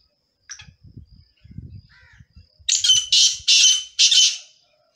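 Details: Partridge sounds mixed from different partridges: four loud, harsh, grating notes in quick succession, after quieter low rumbling and a few faint squeaks.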